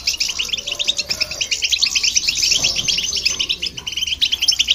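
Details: European goldfinch song, heard with a hybrid, to excite other birds: bright, jangling twitters tumble quickly in a steady stream for the whole stretch, pulsing slightly in loudness.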